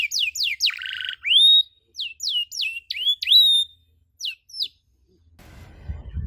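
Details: Canary on a training recording for teaching other canaries plain chirping, "cuit cuit" style: a string of sharp, high, down-slurred chirps and whistled notes, some rising, in bursts, ending in a short rumble of low noise.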